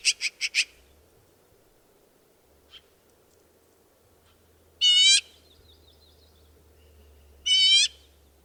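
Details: Black-billed magpie (Pica hudsonia), the American magpie of western North America: four quick harsh chattering notes open, then two loud nasal, harmonic-rich squawks about two and a half seconds apart over a faint low hum.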